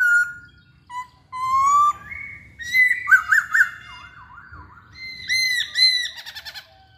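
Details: Masked laughingthrush singing energetically, a lure recording to draw song from other birds: clear whistled notes, some rising slides, then a run of rapid wavering warbles and looping, ringing phrases, with a faint low hum beneath.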